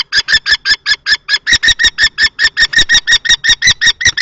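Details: Common kestrels, a juvenile-plumaged male and an older adult male, confront each other at a nest box in Théding on 20 March 2024. A steady, rapid string of sharp, scratchy kee notes, about five per second.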